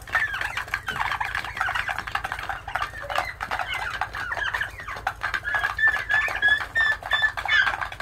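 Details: Turkey chicks peeping in a dense group, rapid overlapping high chirps, a few clearer whistled peeps near the end, and a low steady hum beneath.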